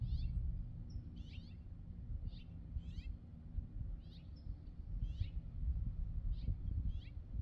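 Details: California scrub-jay perched on a wire gives short, harsh, raspy notes, repeated about once a second, over a steady low rumble of wind or traffic.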